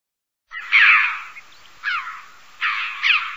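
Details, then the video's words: Red-billed chough giving four harsh, hoarse calls, several with a quick downward-sliding note, spaced irregularly over about three seconds; otherwise quiet. "Crave a bec rouge"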